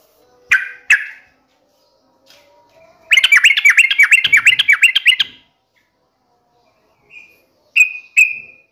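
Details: Sooty-headed bulbul singing energetically, meant as a lure to get kept bulbuls singing back: paired opening notes, a two-second flurry of fast chattering notes, then a few short whistled notes spaced apart.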